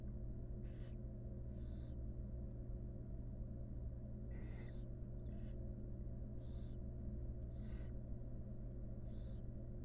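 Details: Mother barn owl grooming chicks in a wild nest box; seven scattered breathy hisses across ten seconds, one with a brief lower tonal note, all over a constant low electrical hum.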